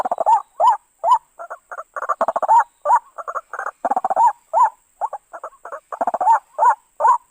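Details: White-breasted waterhen calling, played as a lure for trapping: irregular bursts of low croaking and gulping notes, some doubled or tripled, in a rapid uneven rhythm.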